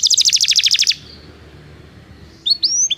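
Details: Belgian canary singing, recorded as training song for non-singing canaries: a rapid buzzy trill lasting about one second, a pause, then a few short rising chirps near the end.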